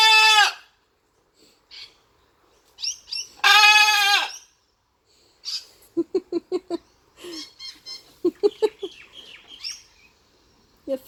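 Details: Blue-and-gold macaw kept as a pet, playing: two loud grating screeches, then a run of quick choppy staccato notes like laughter, plus short nasal squeaks.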